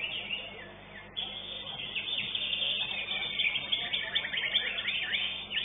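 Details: Greater green leafbird, a contest winner at a songbird competition arena, in a busy, fast run of varied chirps, trills and sharp whistled notes, with faint background murmur and other birds possibly mixed in.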